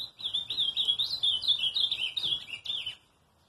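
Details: Azulão (ultramarine grosbeak) delivering a continuous three-second warble of rapid, rolling whistled notes that rise and fall, ending abruptly before quiet.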